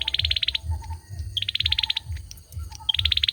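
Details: Male olive-backed sunbird giving machine-gun-like high trills, three bursts in quick succession, with short lower chirps between them and a steady deep hum behind.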